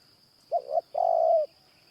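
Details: Spotted Dove cooing in the morning during a trapping session that uses a caged decoy dove. One phrase of two short, low notes is followed by a longer, level, hollow coo. A faint steady high whine runs underneath.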